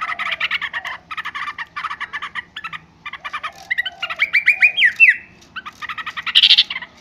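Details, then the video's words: Yellow-vented bulbul giving noisy, bubbly chatter in quick bursts of mid-pitched notes, with a few slurred and rising phrases between them. "suara trucukan ribut"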